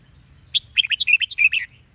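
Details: Close red-whiskered bulbul phrase of the 'Sông Kôn' song style, a quick tumbling string of about ten bright warbled notes lasting just over a second.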